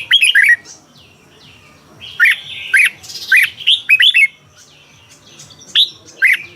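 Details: Red-whiskered bulbul from Thailand, song played to make caged birds lively: scattered bright warbling whistles and sharp chirps in short bursts between quiet gaps, over a soft low rumbling background.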